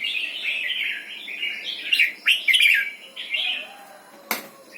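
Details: Red-whiskered bulbul giving doubled 'berl' style song: a chain of rich, liquid warbles. A few emphatic jumpy notes come midway, then a softer closing phrase and a sudden sharp click near the end.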